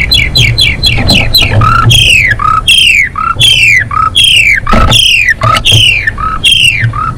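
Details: Female Asian pied starling singing loudly, a song meant to bring males into breeding condition: repeated high whistled notes that slide downward, each followed by a short lower note, about one phrase per second, with a faint low hum behind.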